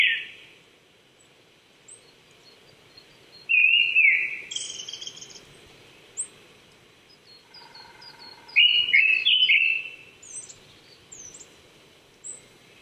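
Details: Japanese thrush in Saitama Prefectural Forest, Chichibu, Japan, April 2019, morning at 800 m. Two bursts of twisting whistled phrases stand apart from long quiet gaps, accompanied by scattered high chirps and a soft steady tone.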